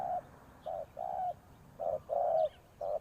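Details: Ground decoy spotted dove cooing: a few deep, rounded notes, a short one and a longer slightly descending one, with quiet gaps between pairs.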